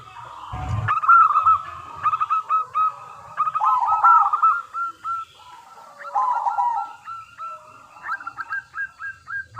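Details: Local zebra dove singing with a clear crystal tone as a lure for other doves: after a low thump, quick runs of hooked coos alternate with lower burbling phrases, closing with a rapid string of short notes.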